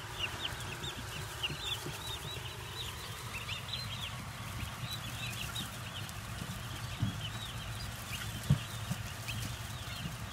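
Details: Turkey poults newly arrived at a farm, a chorus of many thin, high peeping chirps overlapping continuously, with a steady low rumble underneath and an occasional soft knock.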